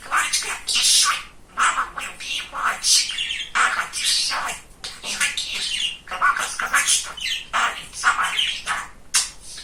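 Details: Talkative male pet budgerigar chattering continuously indoors, a fast stream of raspy, buzzy, speech-like syllables and high chirps with barely any pause.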